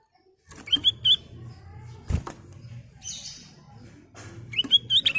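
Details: Sooty-headed bulbul in full song, used as a lure for other birds: short bubbly whistled phrases at the start and end, over a low murmur with scattered clicks and a thud.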